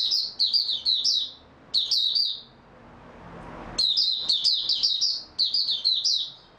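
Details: Oriental white-eye, dated 03-03-2022 after a good night's sleep, singing bursts of rapid high, thin, chirpy notes in two-second phrases separated by short pauses, with a faint background hiss.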